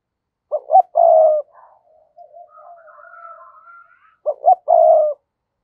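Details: Decoy spotted dove cooing to call in wild doves: two identical phrases, each two short low notes and a long level coo, separated by soft faint murmurs.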